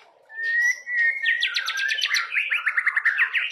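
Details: A young murai batu, or white-rumped shama, sings its isian fill-in: one long steady whistle, then a fast rhythmic series of sharp repeated notes that drop in pitch and carry on.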